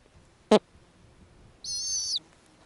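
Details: Snowy owl at an Arctic nest with young owlets and hatching eggs, female feeding nestlings small pieces. A single sharp click is followed by a high, wavering, harmonic-rich squeal lasting about half a second over a quiet background.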